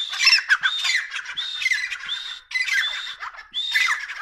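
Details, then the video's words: A pair of grey francolins, known locally as dakhni Irani tetar, giving loud, harsh, squawking call phrases in four bursts roughly one second apart, each a rapid rasping series with short gaps between. "Top dakhni Irani Tetar pair sounds"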